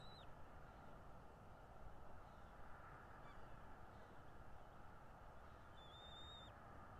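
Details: Nest-cam recording of a bald eagle in North East Florida, 13 February 2022, mid-morning: a short high whistle opens, a faint note follows midway, and a longer clear whistled note with a sharp downward end closes, over a low steady rumble.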